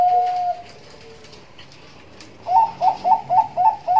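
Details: Zebra dove, Bangkok type, singing in the nduduk ngitit style used for luring and tutoring: a long level coo and a softer lower one, a pause, then six quick rising coos in a steady run.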